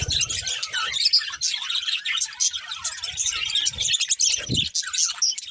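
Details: Breeding pair of budgerigars chirping continuously, a dense stream of bright warbled and chattering notes with quick squeaks overlapping throughout, a soft low thump near the end.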